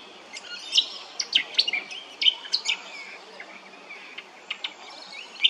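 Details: At Hervey Bay, Queensland, a brown honeyeater delivers bright high chirps and quick whistled notes in uneven bursts, with faint background hiss.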